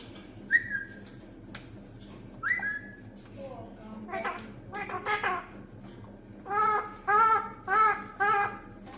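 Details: Talking green parrot giving two short rising whistles, then a run of rapid speech-like syllables, ending with four evenly spaced, strongly harmonic word-like calls about every half second.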